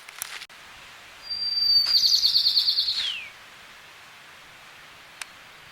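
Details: A Golden-crowned Sparrow in the Sierra foothills of California sings a high, thin whistle that runs into a fast, buzzy trill and then slurs downward, about two seconds long, against a quiet outdoor background.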